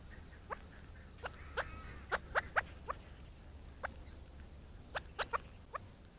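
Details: Chukar partridge calling with abrupt, hard clucking notes spaced irregularly, roughly a dozen in six seconds, with faint higher twittering in the background and a low hum beneath.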